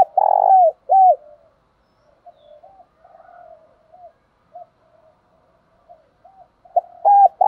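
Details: Spotted dove kept in a cage, calling to set other doves cooing: two loud arched coos open, quiet murmured coos follow, and a loud pair of coos returns at the end.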